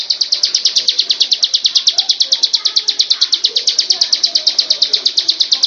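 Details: Bar-winged prinia giving a high, rapid series of identical sharp notes, about three each second, steady and unbroken throughout, over faint background hiss.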